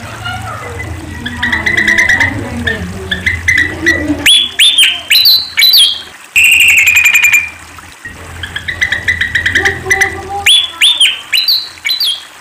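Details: Sunda pied fantail singing amid other chirps: soft twittering notes at first, then loud upswept whistles, a rattling trill, more chatter, and a final series of sharp rising whistles.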